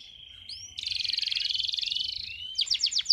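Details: Male canary singing to teach young canaries and excite females: a held whistle, then a long buzzy rolling trill, closing with a burst of sharp descending chirps.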